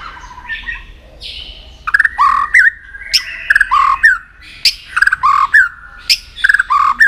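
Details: White-rumped shama in full song, used to train voices and spur birds to sing for contests: loud, repeated phrases of sharp clicks and rich whistled notes, roughly every second.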